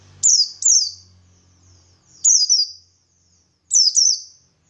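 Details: Buxtoni white-eye singing its wild forest-style song as a lure for other white-eyes: three phrases of paired high, downslurred whistles about one and a half seconds apart over a faint low hum.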